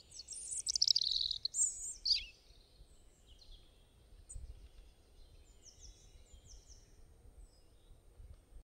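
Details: Eagle giving high, thin, chittering calls that slur downward in the first two seconds. Quieter stretches with faint distant chirps follow.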